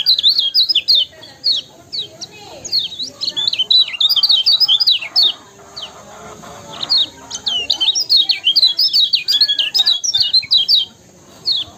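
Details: Energetic kecial kuning song used to provoke rival birds to sing: long, busy runs of sharp, high up-and-down chirps with brief breaks, followed by another chattering burst and a steady faint high hiss.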